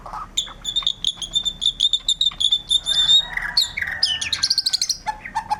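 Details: White-rumped shama song with a long, steady series of rapid high chips, then sweeping whistles and a fast rattling trill, all loud and closely spaced.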